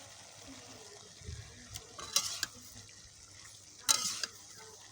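Kitchen stirring and faint sizzling with a low hum and a few sharp scraping clicks, with no animal voice heard.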